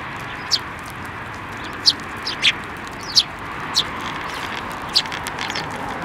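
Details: Sparrows coming to the hand for food at a Tenmangu shrine on 28 December 2023, giving about six brief, clipped high chirps scattered irregularly across several seconds against constant outdoor hiss.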